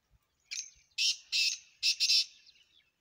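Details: Black francolin calling: a short harsh opening note, then loud grating, buzzy bursts in two pairs, all rasping and scratchy with no low tones, in quiet natural surroundings.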